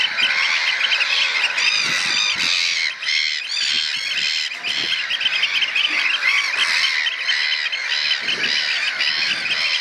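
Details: Three juvenile Eurasian oystercatchers, probably nestmates, learning to pipe, occasionally joined by an adult: a dense chorus of loud, shrill, rapidly repeated overlapping notes, unbroken, with no other clear sounds.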